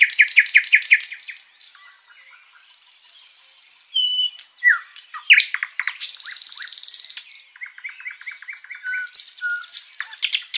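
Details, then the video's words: Flycatcher known as sikatan londo singing a long master song meant to enrich other birds' repertoires: rapid repeated sharp notes, a brief pause, then slurred whistles, a dense buzzy rattle, and quick chattering series. "Masteran Burung sikatan Londo gacor panjang"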